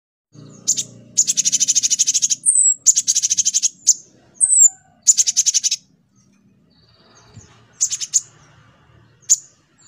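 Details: Brown-throated sunbird (konin) song as a lure recording for training a young olive-backed sunbird: rapid high buzzy trills in bursts, with short thin slurred whistles between them and a faint low hum at the start.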